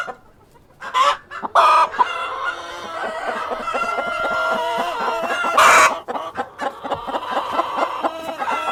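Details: A cockerel with hens: sharp bursts and flapping-like noise open the recording. Steady pulsed clucking and drawn-out crowing notes follow, with another loud burst later.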